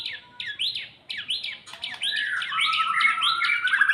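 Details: White-rumped shama in song after its moult, building fighting spirit: a series of rising whistled slurs leading into a louder, continuous, rolling warble with high buzzy overtones.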